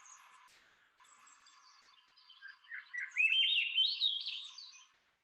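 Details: Swainson's Thrush song near Inverness Park market, Point Reyes, California, on 22 April, the first heard that spring by a newly arrived migrant that nests commonly there: a fluty, breathy phrase spiralling upward over about two seconds after a faint, hissy start.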